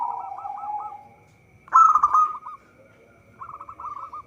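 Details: Local zebra dove song meant as a trapping lure: a run of quick hooked notes fades out, then one loud rolling burst, a pause, and another soft series of clipped coos.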